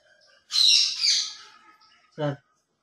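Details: Pet talking Indian ringneck parakeet giving a harsh, noisy double screech lasting almost a second, followed by a short, low, voice-like buzzy note, in an otherwise quiet room.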